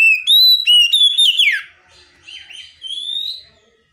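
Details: Oriental magpie-robin (kacer) in a tutor song full of imitations and calling tones. Loud, piercing whistled notes tumble into a fast descending slur, then quieter wavering and long rising whistles follow.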